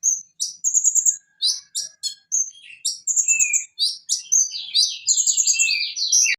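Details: Van Hasselt's sunbird, known locally as konin, in a varied, rapid, high-pitched song of sharp chips, short whistled bars and thin notes, with buzzy falling phrases building toward the end.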